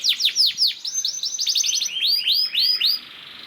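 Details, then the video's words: Canary singing loudly as a lure for other canaries, delivering quick downward-swept whistles followed by a series of looping, chirpy notes that fade out near the end. "PANCINGAN KENARI GACOR DOR NGEREK PANJANG INI AMPUH BIKIN KENARI LAIN BUNYI"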